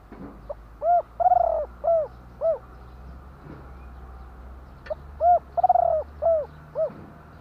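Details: Spotted dove cooing in two phrases. Each opens with a short soft note, then a clear hooting coo, a long stuttering rolled coo, and two or three clipped coos. A quiet pause with faint background hum separates the phrases.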